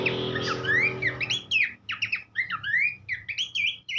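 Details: Tutor song of Horsfield's babbler for schooling songbirds: opening burst over loud low rumble, then clear upslurred and downslurred whistles alternating with short harsh chips, roughly one note a second.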